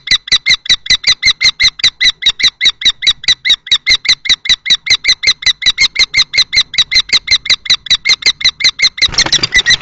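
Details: Common kestrels at Théding on 20 March 2024: two males, one young and one adult, confront each other over a nest box a female visits; fast steady series of piercing squealed notes, ending in a burst of scuffling noise.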